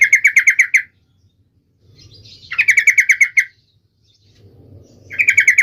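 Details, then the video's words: Sooty-headed bulbul (trucuk) in full, sharp song, meant to set other trucuk birds singing at once. Three bursts of fast, evenly repeated bright notes, each about a second long, with a soft low hum between them. "trucukan gacor FULL EMOSI TAJAM ini AMPUH MENJADIKAN agar supaya burung trucuk gacor seketika"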